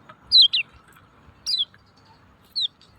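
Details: Lemon-bellied white-eye calls used as a lure to provoke silent caged birds into singing: three sharp, high, descending whistled chirps, the first a quick pair, spaced about a second apart over faint low background hum.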